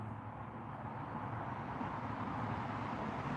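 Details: Outdoor traffic rumble and a low engine hum run throughout, with no animal heard.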